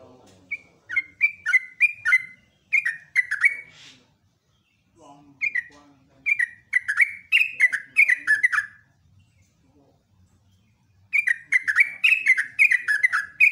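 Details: Rapid-fire morning song of a yellow-vented bulbul, kept as a training master: three bursts of rich, descending whistled notes, each run several seconds long, separated by quiet pauses.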